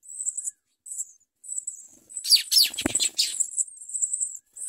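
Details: House sparrow chicks being fed by their mother: high chirps give way to a loud frenzy of overlapping shrill begging calls and a brief wing-flutter rustle, before settling to steady chirping.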